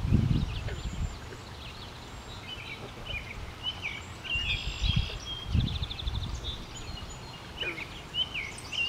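A song sparrow sings a jumble of clear notes and a quick buzzy trill, fairly faint, over steady low wind rumble and a few thumps.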